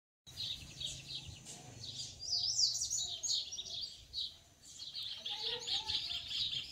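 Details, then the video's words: Wild yellow-bellied seedeater male singing to his female, eager to nest: a rapid, continuous run of high, bright chirps and trills that swells and fades, with a brief pause midway. "PAPA CAPIM NA NATUREZA CANTANDO MUITO LOUCO PARA CHOCA COM SUA FÊMEA"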